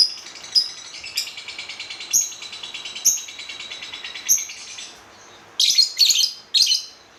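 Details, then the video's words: Lovebird chattering in a high, fast rattle with sharp chirps spaced about a second apart, then a pause and three loud, harsh bursts. "SUARA BURUNG LOVEBIRD"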